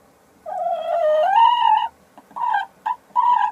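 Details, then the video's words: Sussex hen calling as she lays an egg, 02 03 2017: a long drawn-out note rising in pitch toward its end, followed by three short clipped squawks in quick succession. "La Gallina Sussex poniendo un Huevo"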